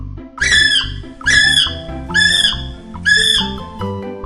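Four shrill, whistled kiwi cries, each about half a second long and coming roughly once a second, with background music playing underneath.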